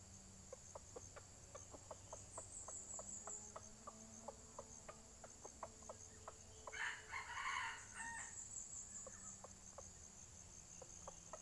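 A short, harsh, clipped junglefowl crow bursts out midway, over a steady high insect drone and scattered dry ticking sounds.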